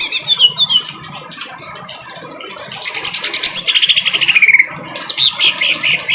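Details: Greater green leafbird giving a harsh-voiced song for tutoring caged birds, over rain: sliding whistled notes, then a fast buzzy rattling run of repeated chips, with a steady hiss of rainfall beneath.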